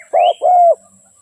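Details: Spotted dove used as a trapping lure: one short coo phrase, a brief low note then a longer smooth hoot, accompanied by a thin rising whistle from another bird.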